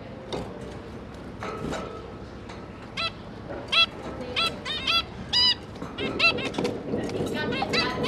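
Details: Zebra finches, two parents with three newly hatched juveniles, recorded 5 September 2022 while the parents are busy feeding the babies; short nasal, honking calls come in scattered bursts, sparse at first, then quicker toward the end, over faint low background noise.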